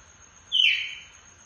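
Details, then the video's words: Captive red-cowled cardinal from breeders, singing in the açoite style: one clear whistled note, dropping then holding steady and slowly fading, over a faint constant high hiss. "galo de campina gritando"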